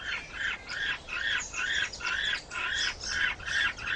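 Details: Penguins where males incubate eggs: a steady run of harsh, nasal, harmonic squawks, about two every second, each rising then falling, with soft background hiss between them.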